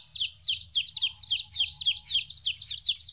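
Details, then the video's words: Fourteen-day-old baby chickens away from their mother for the first time, peeping in quick regular bursts about three a second, high and sliding down, over a low background hum. "Chicks Chirping Sounds - Baby Chicken Sounds"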